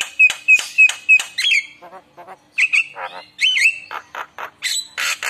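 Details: Javan myna singing a rich, varied song meant to prompt other mynas to reply; clear whistled notes repeated four times, then harsh squawks, rising whistles and rasping bursts.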